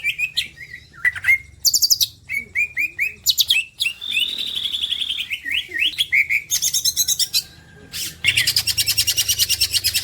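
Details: Green leafbird, a champion songbird used for tutoring, in a rich varied song: sharp chirps near two kilohertz, a long thin whistle, then dense rapid trilled bursts high up; faint low hum beneath.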